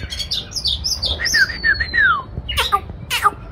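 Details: White-rumped shama singing while displaying, giving a sequence of slurred whistles that descend in steps, then a long falling note and harsh scratchy bursts.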